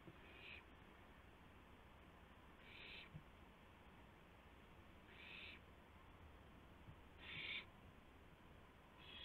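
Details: Owl in the night hours of 2 April 2016, delivering a gopher to another owl: five short, rasping hiss-like bursts spread over several seconds, fairly quiet, against a steady background hiss.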